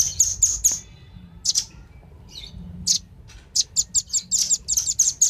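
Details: Male and female velvet-fronted nuthatches used as a lure for wild birds. Sharp, very high chips come in quick bursts, with a pause mid-clip, then a fast run of repeated notes.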